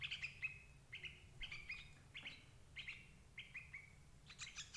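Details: Sooty-headed bulbul lure call for catching adult birds. Quick whistled phrases, each note dropping slightly in pitch, repeat roughly twice a second, ending in a denser burst of chirps over a soft low hum.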